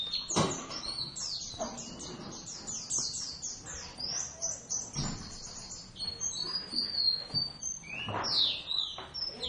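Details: Two Javan Oriental white-eyes (Zosterops palpebrosus javanus) duetting during singing practice in the fast ngeriwik style: rapid high twittering chirps and descending slurred notes, with a few louder sharp notes and faint voices nearby.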